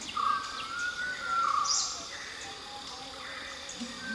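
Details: Malabar whistling thrush at Galibeedu, Madikeri, giving a few drawn-out, slightly wavering whistled notes in the first second and a half, over a steady hiss of insects.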